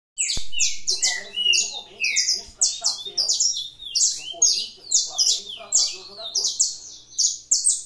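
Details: Caged canary at a breeder's aviary singing in the fibra style: loud, rapid, high-pitched chopped phrases and buzzy trills in quick succession, with faint low murmurs underneath.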